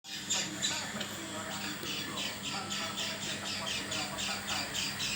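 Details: Oriental white-eye giving an unusual call, unlike its normal voice: a rapid series of harsh, buzzy high notes, roughly four per second, uneven in rhythm, with a low background hum.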